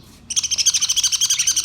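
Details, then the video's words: Budgerigars recorded on 22 May 2023, singing a rapid series of bright, high chirping notes repeated about eight times per second, starting after a brief quiet moment. "Beautiful Budgies birds beautiful singing"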